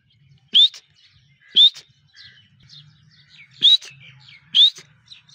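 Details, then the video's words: Desi partridge calling: loud, shrill whistled notes that rise sharply in pitch, given about once a second in pairs with short gaps. Faint softer chirps sound between them, over a low background hum. "Teetar ki awaz"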